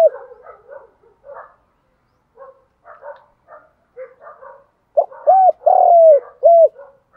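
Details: Spotted dove giving fighting-challenge and calling coos: soft clustered low murmuring notes, then a loud phrase of three or four clear hooting coos, the longest drawn out and slightly falling.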